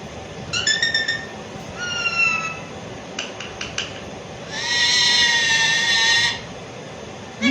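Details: Pet Alexandrine parakeet talking and mimicking a cat's meow: short harmonic chirps, a clicking burst, then a long loud drawn-out meow-like call, with a person greeting the bird.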